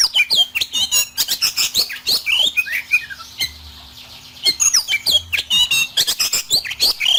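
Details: Harsh rough fill-in song of an oriental magpie-robin used as kacer therapy: rapid, clicky squawks and scratchy rasps in dense bursts, a short quieter stretch midway, then the harsh chatter resumes.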